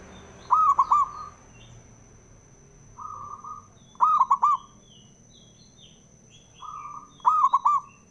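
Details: Male local perkutut (zebra dove) used as a provoking caller for other doves: three rolling coo phrases roughly every three seconds, each preceded by a soft hum, with small high chirps from other birds and a constant faint whine.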